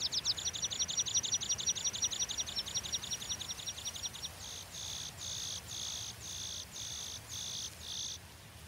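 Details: Water pipit giving a long series of high, rapid, thin notes that run together like a fast trill for about four seconds, then shift to slower, buzzy, rasping notes repeated about twice a second, over a quiet background.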